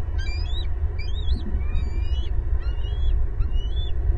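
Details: Loud bald eagle vocalising at a Southwest Florida nest, April 18, 2022, four eagles present; a rapid series of high, wavering, squealing chirps repeated about every half second throughout, over steady low rumble.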